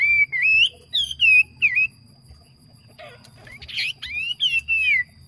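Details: Decoy yellow phua bird singing well, giving clear whistled notes that slide upward and bend, each note repeated in quick sequence, a short pause, then more gliding whistles.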